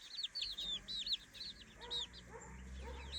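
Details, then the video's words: Three-week-old chicks in their new daytime playpen, being raised at home, peeping in rapid high arched notes, several overlapping, with fainter lower sounds underneath. "three weeks old baby chickens"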